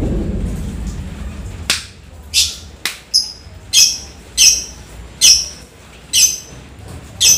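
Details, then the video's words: Lovebird singing energetically after rain, in Indonesian style described as typing-like chatter building to long shrieks: sharp high chirps and clicks roughly every second, with faint low background rumble early on. "Lovebird gacor ngetik sampai ekek panjang || kicau lovebird sehabis hujan"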